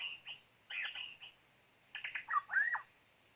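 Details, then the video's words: White-rumped shama, a decoy bird used to lure wild birds for trapping, gives a varied phrase of short buzzy notes, then a cluster of sharp, rising and falling whistled notes after a brief pause. "ต่อนกกางเขนดง ตัวนี้สุดยอดจีงๆ"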